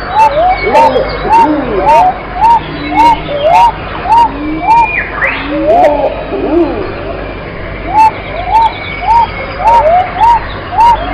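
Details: Pigeon calling in a steady series of short rising-and-falling notes, roughly two per second, with fainter overlapping calls from other birds and brief sharp clicks in the background.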